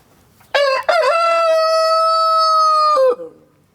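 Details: Village rooster crowing close by: a loud cock-a-doodle-doo with two short rising opening notes, then a long steady held note lasting about two seconds before a quick falling finish, background otherwise quiet.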